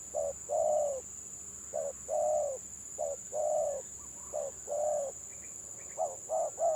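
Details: Village spotted dove with a stuttering 'gagap' song style, matched against another stutterer: low hollow coos in short clipped bursts, some notes doubled, with pauses between phrases, over a constant high electrical whine.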